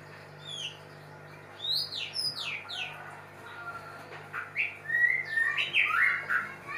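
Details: Sweeping high whistles and descending slurs from a mating white-rumped shama, starting sparse and turning into a busier burst of warbled notes toward the end, with a low hum underneath.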